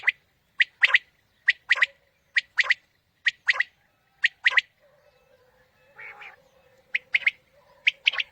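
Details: Quail calling, played to attract quail for morning hunts: clipped, squawky notes bunched in pairs and triplets, repeated about every second; a faint low hum and a soft rustle briefly fill a gap midway.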